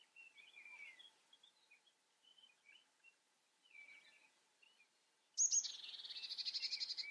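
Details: European goldfinch singing: faint, scattered twittering chirps for about five seconds, then a sudden loud burst of rapid, buzzy, trilled notes repeated steadily to the end.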